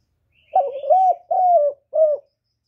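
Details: Spotted dove cooing to bring wild doves to the trapping place, clean recording. One phrase of four low hollow notes: a stuttered start, a sustained coo, a slightly descending coo and a brief final one.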